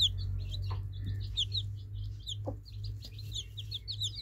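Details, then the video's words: Many baby chicks peep together in quick, high, slurred notes, overlapping without pause, over a constant low background hum and occasional soft thuds. "Baby Chicks Birds Sweet Sound Effect Cute Baby Chicks Chirping"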